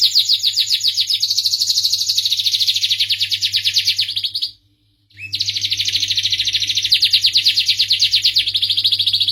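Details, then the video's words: Melodious canary song made of dense, rapid buzzy trills held for several seconds, broken by a brief silence before another long rolling trill resumes; a steady low hum runs underneath. "suara merdu kenari"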